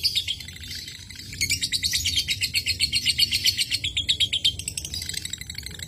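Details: Lovebird audio used as a lure to stimulate other lovebirds into the long 'ngekek' chattering song; high, rapid, shrill chirps stream in fast regular pulses, starting faintly then running continuous and loud from about one second, over a low background hum.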